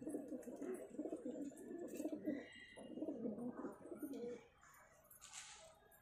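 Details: Cheena pigeon pair cooing: a continuous run of low, throaty rolling coos for about four seconds, then quiet room background with a short hiss.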